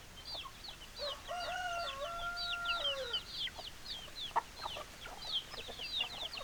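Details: Rooster crowing amid clucking hens: a long, drawn-out, harmonic crow lasting about two seconds, ending with a downward slur, over continuous high peeps and short clucks from the flock.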